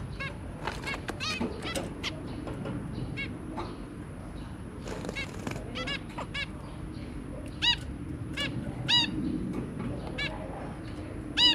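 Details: Zebra finch family, two parents and three babies, 23 January 2022: steady chatter of short nasal beeps, roughly two dozen a minute at first then crowding together, some louder bursts near the end, low hum beneath.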